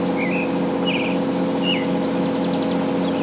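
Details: Pale-breasted thrush in the city: three brief whistled phrases, one with quick trilled wavering, over a constant droning engine hum.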